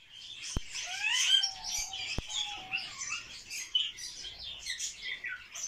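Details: Captive barred warbler during its courtship (mating) dance, giving fast, scratchy, chattering calls with high squeaky notes; other birds chirp in the background, with a couple of sharp clicks.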